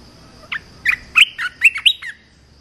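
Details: Red-whiskered bulbul song used to train young birds: a quick phrase of about seven clear, warbled whistled notes, each sliding up or down, delivered in just over one and a half seconds against a quiet background.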